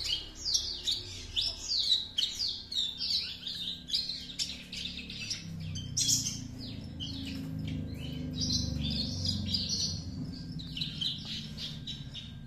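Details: Two-month-old juvenile Horsfield's bush lark, a speckled young Javan bird, already imitating its master song learned from another bush lark: dense run of sharp, high chirps and trills, rapid and varied, with low background rumble throughout.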